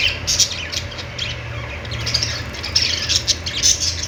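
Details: Budgies producing harsh squawks and clipped chirps over a soft, steady low hum, the calls growing busier toward the end.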